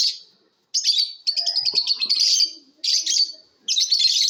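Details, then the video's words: Lovebirds in a chirping competition, with bursts of harsh high twittering roughly a second long and short pauses between, plus soft lower background noises. "Love BIRDS ChAPRING SOUNDS COMPETITION"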